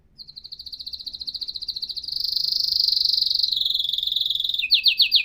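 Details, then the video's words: Canary song in a high-quality recording: a rapid, even trill of pulses that swells in loudness, drops slightly lower in pitch mid-phrase, then switches to a few quick descending sweeps at the end. "تغريد كناري احترافي"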